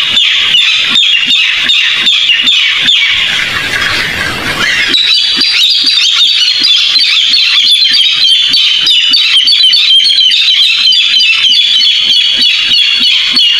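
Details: Barred rail (tikling) call used as a trapping lure: harsh, grating squawks in a rapid, uneven series of about three per second, loud and high, with a brief rush of noise partway through.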